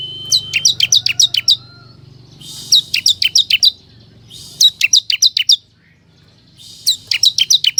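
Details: Bar-winged prinia, known locally as ciblek kristal, sings a lure to pull in wild forest birds: four bursts of six to eight rapid, high, falling chirps, the first opening with a short flat whistle, separated by brief pauses.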